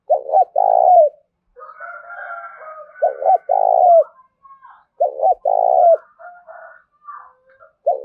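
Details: Spotted dove calling as a decoy for wild birds: the short double coo and long burry coo repeat four times, while fainter, higher calls from another bird fill the gaps.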